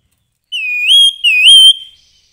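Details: Grey-headed babbler in lively song: two loud, clear whistled phrases, each dipping and then rising to a sustained bright note, with silence around them.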